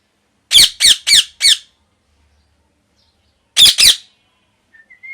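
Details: Natural parrot giving loud, harsh squawks: a quick run of four rasping bursts, a pause of about two seconds, then two more, with a faint thin whistle at the very end.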